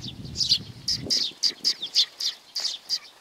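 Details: Sparrows approaching to be fed at Tenmangu, Nakanoshima, on 21 June 2020, giving a regular run of clear, high chirps about three per second, with low rustling early on.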